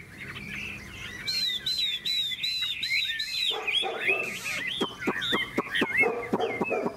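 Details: {'caption': 'Hwamei in a singing contest: a string of looping, repeated whistled notes followed by sharp, clipped ticks and harsher bursts, with some background clatter from the cages.'}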